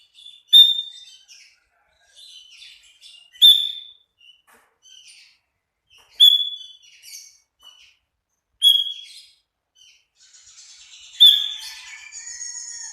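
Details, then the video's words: A sooty-headed bulbul in full 'tembakan' singing, kept as a training master. Short, bright whistled phrases repeat roughly every two and a half seconds, each a sharp note with quieter chatter after it, ending in a longer jumbled phrase. "Master Burung kutilang gacor full tembakan"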